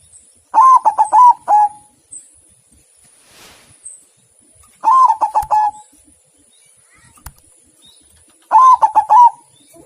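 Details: White zebra dove singing three loud cooing phrases about four seconds apart, each a rolling run of four or five quick, slightly descending coo notes lasting about a second, with quiet pauses between.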